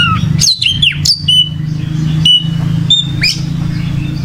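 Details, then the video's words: Oriental magpie-robin gacor song: sharp, high whistled sweeps and short upslurred notes come in a few bursts, with a steady low droning hum running underneath. "Suara Burung Kacer Gacor"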